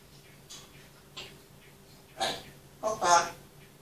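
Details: Pet grey parrot showing part of its talking repertoire, recorded indoors on a mobile phone: four short speech-like bursts, the last two louder and rasping, spaced over a few seconds, with a faint steady hum behind.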